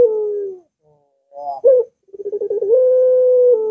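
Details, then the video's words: Barbary dove song used as a lure to get a reluctant dove singing: the tail of a long level coo, a pause, a sharp clipped note, then a quick stutter of pulses running into another steady drawn-out coo. "Puter Macet Puter Malas Bunyi Langsung Ngaut"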